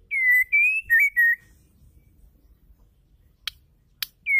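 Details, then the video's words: Female white-rumped shama, calling to provoke male song: a clear four-note whistled phrase, long even tone then slurred wavering notes, followed by quiet, two sharp clicks and a new phrase starting. "murai batu betina gacor bikin murai jantan gacor keluar isian"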